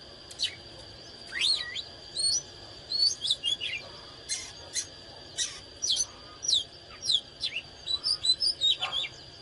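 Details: Oriental magpie-robin in high condition, singing and dancing: sharp downslurred whistles and varied short notes, repeated in quick phrases separated by short gaps, with a steady high whine behind.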